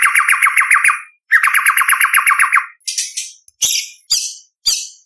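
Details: White-rumped shama singing in a lively, full-repertoire competition style with sharp 'tembakan' bursts: two long, fast, regular rattling trills, then a series of short, high, scratchy notes.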